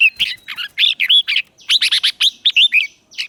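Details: Red-whiskered bulbul used as a lure bird, singing to call wild birds in to contest: rapid bursts of bright warbled, chirping notes with quick rising and falling slurs, delivered in two dense phrases separated by a brief pause.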